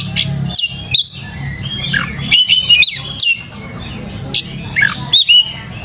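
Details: Lure song of an Oriental magpie-robin for training young birds to sing; clear downslurred whistles and buzzy chattering notes in quick bursts separated by short pauses, over a low background hum.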